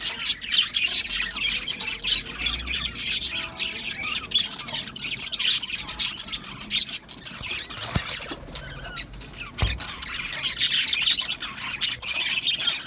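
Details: Aviary colony of Australian budgies singing and chirping: high scratchy chatter and chirps throughout, easing briefly in the middle, with a couple of sharp knocking sounds partway through.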